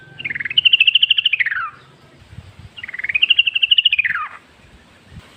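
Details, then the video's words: Wild yellow-vented bulbul song used as a lure for other bulbuls. Two long, fast-pulsed warbling phrases each climb, stay level and then drop away at the end, with faint background noise between them. "trucuk gacor ngalas full suara alam"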